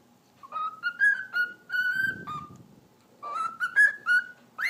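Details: A pet cockatiel talking, saying the Turkish phrase "eşek sıpası" ("donkey foal"), then whistling: clear, tonal whistled phrases in two bursts, each a string of short rising and level notes with a harsh, breathy patch between; cockatiel.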